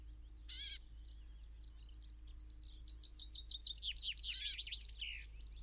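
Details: Brambling recorded in Ballinaglera, Ireland: a sharp, loud call opens the clip, followed by a long, rising flurry of quick, wavy twittering notes and a second ringing call.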